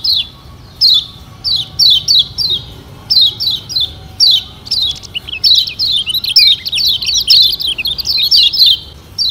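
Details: Lure recording of Lombok lemon-bellied white-eyes to get birds singing: rapid, high chattering notes in short bursts of about a second, often overlapping as several birds seem to sing at once.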